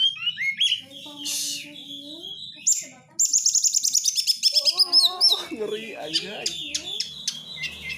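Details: Oriental magpie-robin song used as a lure to provoke singing: varied whistles and harsh notes, then a fast, even, rhythmic chattering series of about twenty notes, ending in mixed twitters.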